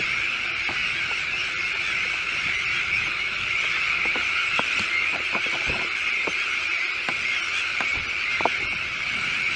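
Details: Sandwich tern colony with chicks on a newly built shell island in De Putten, Schiermonnikoog, Netherlands: a dense, unbroken chorus of harsh, grating calls with sharper individual cries now and then.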